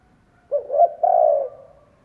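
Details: One mellow coo from a Vietnamese decoy spotted dove calling to lure wild doves: a brief hoot, a swelling second note, then a long even croo fading away.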